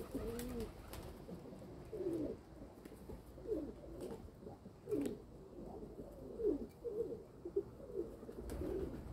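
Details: Kept domestic pigeons giving a series of soft, throaty coos, each a brief rising-then-falling moan, repeated irregularly about every second over a quiet low hum.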